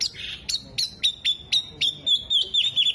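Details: Oriental magpie-robin, a singing kacer, mimicking hummingbird, bearded bird and lovebird: a fast series of sharp whistled notes, about four a second, with bright falling and level whistles near the end and little background noise.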